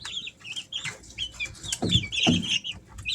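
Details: Three-week-old Easter Egger chicks at home in summer: quick run of high chirps and trilling peeps, some slurred and wavering, with two louder bumps partway through.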